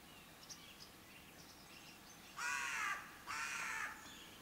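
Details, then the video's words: Raven giving two harsh, hoarse, drawn-out calls about a second apart, each roughly half a second long, after a quiet stretch with faint distant chirps and light outdoor background noise. "CANTO DEL CUERVO O GRAZNIDO"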